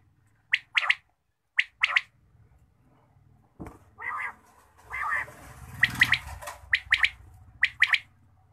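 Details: Quail calling in the morning: sharp, clipped notes in quick pairs, repeated about once a second, with a burst of rougher, noisier sound midway before the paired notes resume.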